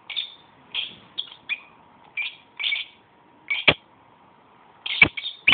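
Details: A pet lovebird talks to itself in short, scratchy chirps and chattering phrases spaced by brief pauses. A steady faint tone runs underneath, and sharp clicks come near the end.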